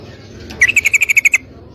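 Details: Female sooty-headed bulbul calling a male to mate; a single short run of about nine quick, ringing chirps over faint background hum.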